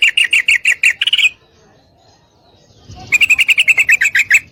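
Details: Calling female yellow-vented bulbul inviting a male to mate: a fast run of sharp chattering notes ending in a brief rising flourish, then after a pause another long, steady series of about ten to twelve notes.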